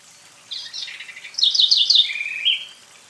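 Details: House wren from Brazil, from a selection of beautiful Brazilian birdsongs: a quick bubbling phrase of high trilled notes, descending and sliding down to a lower buzzy run at the end, on a quiet background.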